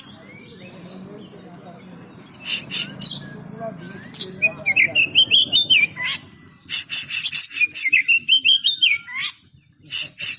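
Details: Market-trained oriental magpie-robin singing loud, rapid series of sharp chattering notes mixed with sweet whistled, rising and falling phrases, starting after a quiet opening with low background chatter.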